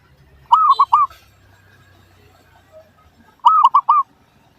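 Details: Zebra dove calling as a lure for other doves: two clear phrases, each of three fast bubbling coos, separated by a quiet gap of about three seconds with faint low hum.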